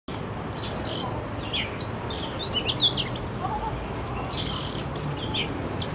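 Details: Oriental magpie-robin singing in an urban setting, recorded with a Canon R6: scattered high whistled notes and short sweeps over steady low city hum.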